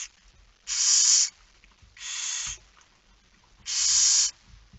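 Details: At the nest during a night feeding, 10 September 2019 at 22:45, a Barn owl produces three loud, breathy hissing screeches of about half a second, spaced roughly 1.5 seconds apart, with soft low rustling between.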